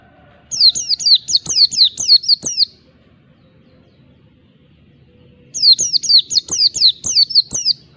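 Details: Ngalas song of an Oriental white-eye aimed at opponents: two dense bursts of high, rapidly repeated downward-slurred whistles, roughly four per second, separated by a three-second quiet stretch with faint background hum.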